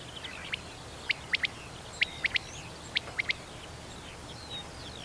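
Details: Male common quail giving its song, the call known in Russian as 'boy': three crisp, sharp three-note phrases, roughly one per second, like 'pit-pil-pit', over faint background hiss.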